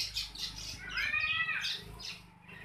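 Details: Long-tailed shrike in vigorous song: harsh squawky notes and a buzzy, layered warble over a continuous low hum.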